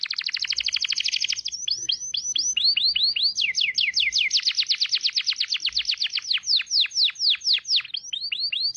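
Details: White-rumped shama, clear-sound training recording: long rapid series of sharply falling whistled notes, repeated about twice per second and accelerating in stretches into quick rattles, with brief changes of pace and clean background.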